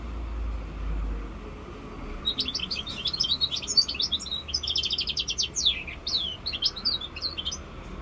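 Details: Five-month-old goldfinch mule (hybrid), labelled 'rosse corsica', breaks into a sustained, rapid song of high tinkling notes, buzzy trills and sliding whistles lasting about six seconds after a quiet start with low background hum.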